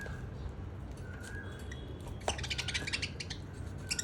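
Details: A baby pet budgerigar that likes coconut gives short, scratchy chirps and squawks over a low background rumble.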